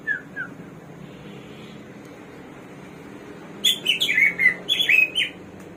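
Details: Hwamei, locally samyong or garuwa, the bird of 1001 voices: two soft whistles, a long quiet gap, then a loud rapid outburst of rich, warbling, up-and-down whistled phrases in the final two seconds.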